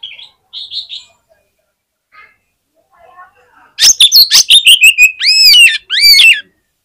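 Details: A fighter Oriental magpie-robin hung at a bird-song competition, said to make rival magpie-robins respond fast. A few soft notes, then a burst of rapid harsh chatter ending in loud, arched, ringing whistles.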